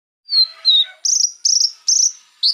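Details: Konin songbird singing to provoke rival birds into agitation: high thin whistles, then four bright, trilled bursts about half a second apart.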